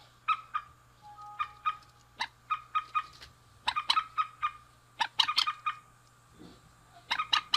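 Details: Male and female rail trading clipped, scratchy notes. Single strokes are spaced evenly, then quicken into a dense rattling burst near the middle, over a steady faint background tone.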